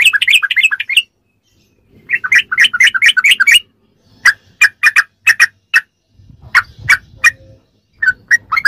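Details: Sooty-headed bulbul in ropelan style, a rapid song used as tutor material for captive birds: bursts of quick, bubbly whistled notes, then a pause and a string of sharp, evenly spaced chips, with a faint low hum beneath.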